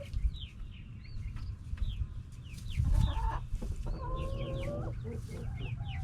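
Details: Backyard chickens, hens and roosters together, clucking; scattered short downslurred chirps over a low rumble, with a loud burst near three seconds and a sustained flat drawn call around four seconds.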